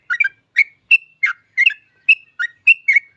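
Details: Yellow-vented bulbul song meant to draw other bulbuls into singing: about nine clear, slightly liquid whistled notes, some slurred downward, spaced roughly a third of a second apart.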